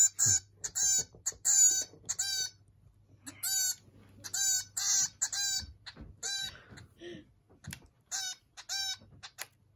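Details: Zebra finch chick, one month old, begging during hand-feeding on 13 May 2023: clusters of sharp, high, raspy chirps in uneven bursts, fading to softer scattered calls toward the end, with a faint low hum beneath.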